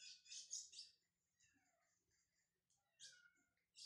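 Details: Brown lined seedeater warming up its song: high, bright chirped phrases in short bursts, a loud cluster at the start, then thinner twittering notes and a final high burst.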